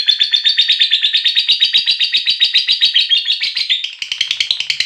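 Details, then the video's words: Lovebird giving a long ngekek trill, calling to companions: a loud, rapid chattering series of high buzzy notes, about four per second, continuing steadily and breaking into quicker, harsher notes near the end. "Suara Burung Lovebird Ngekek Memanggil Teman, Lovebird Ngekek Panjang"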